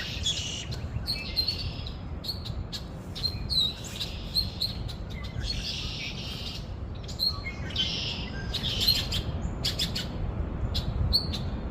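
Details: Birds chirping outdoors: bursts of high, bright chirps and trills recur every second or two, some with sharp clicks, over a steady low rumbling background.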